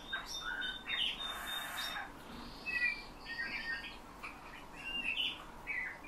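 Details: Bullfinch taught to sing by its keeper, mimicking his whistle along with nightingale and thrush passages; high sustained whistles alternate with scratchy chirps and sweet warbled notes, a few phrases every couple of seconds.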